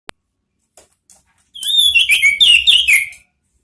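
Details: Orange-headed thrush (anis merah) song used as lure therapy: after a sharp click and faint ticks, a dense, bright phrase of rapid whistled and chattering notes lasting nearly two seconds.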